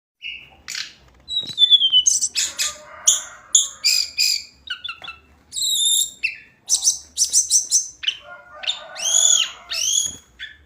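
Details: Hill blue flycatcher (tledekan gunung) in daily song: a varied run of high, clear whistled phrases, some sliding downward, mixed with quick chattering bursts and short pauses, the whole song pitched high.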